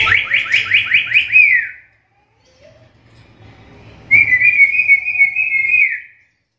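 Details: Black-capped lory call, said to be rare in other lories and suited for teaching songbirds: a rapid run of about seven downslurred notes ending in a falling slur, a pause with a brief soft note, then one long steady whistle dropping at the end.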